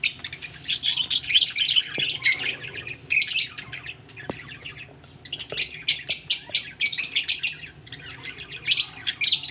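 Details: Budgies described as ready to lay eggs keep up near-constant chatter: rapid high chirps, buzzy squeaks and rasping notes, with a brief lull midway before dense bursts return.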